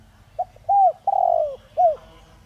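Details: Single cooing phrase from a spotted dove decoy of the 'Giọng Đồng Rặc' voice style, meant to provoke other doves: a faint pip, a curved coo, a long falling drawn-out note, then a short rounded coo.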